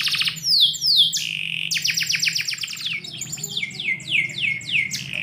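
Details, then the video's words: Morning canary song inside a home: strong repeated downward sweeps, a rapid series of clicks and sweeps, then softer looping swept notes repeated at a quick even pace, over faint household hum. "KICAU BURUNG KENARI - DIPAGI HARI DALAM RUMAH"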